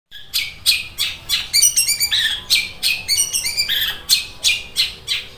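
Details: Long-tailed Shrike in fighting mode, imitating sparrow sounds described as sharp and like a sewing machine: rapid harsh chattering bursts with high buzzy harmonics, about three short notes per second, then fast rattling runs.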